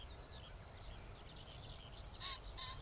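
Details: Zitting cisticola song: a sharp, high, metallic 'zit' note repeated steadily about four times per second, with a faint lower tone under two of the notes and quiet background.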